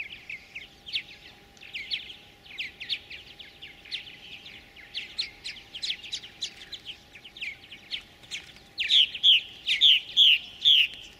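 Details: Purple martin chicks in a gourd nest, fed by a parent pair at a farm near Lacombe, Alberta, Canada, in 2017, give dense high begging chirps rising to loud insistent repeated notes near the end over a faint hum.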